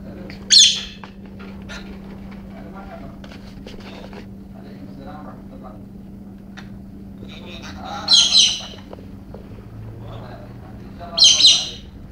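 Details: An excited pet female galah, acting wildly in a rare outburst, gives three harsh, grating squawks spaced several seconds apart, with faint clicks and movement sounds in between.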